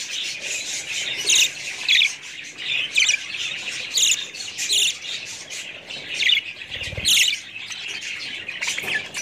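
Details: Budgerigar calls mixing harsh squawks with high chirps in irregular bursts, plus a brief dull thump partway through.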